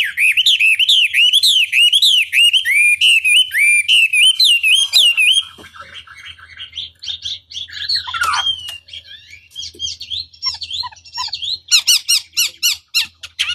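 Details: Chinese hwamei song played to provoke rival hwamei into answering: five seconds of rapid, rolling whistled notes, several per second, then a softer jumble of varied phrases, and finally a burst of sharp, high, repeated notes.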